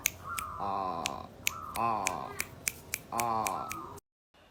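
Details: A male local wild zebra dove whose voice resembles a female's gives three tremulous, trilled cooing phrases, each slightly falling and about a second long, with sharp clicks between phrases indoors.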